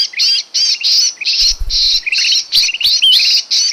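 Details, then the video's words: Sooty-headed bulbul trapping lure: long grating squawks alternate with short climbing chirps and a clear whistled note near the end, with a soft low thud in the middle. "suara pikat burung kutilang emas paling ampuh"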